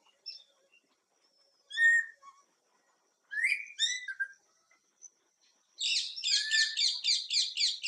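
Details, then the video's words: Greater racket-tailed drongo, known for mimicking other birds: scattered soft whistles and a few slurred notes, then a loud rhythmic series of harsh buzzy chattering notes repeated rapidly. "Song of Greater racket-tailed drongo(भीमराज/भृंगराज)"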